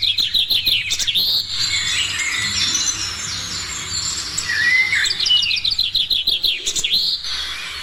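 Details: Birds in the morning giving a rapid series of high chirps, then a dense tangle of overlapping whistles and trills, ending with another fast burst of sharp chirps.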